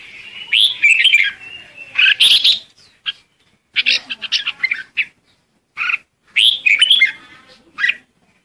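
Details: Decoy red-whiskered bulbul singing to gather its flock: a sequence of lively warbled phrases and sharp single chirps, repeated several times over eight seconds, with brief quiet gaps.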